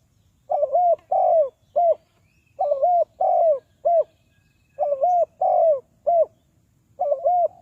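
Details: Spotted dove call used to lure wild doves into a trap: low, even coos in phrases of three, each phrase ending in a short note, repeated steadily with brief pauses.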